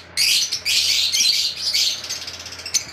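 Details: Albino pet lovebirds calling: dense, high, shrill chirping in two long bursts that blend into a continuous chatter, then fading to scattered chirps over a low steady hum.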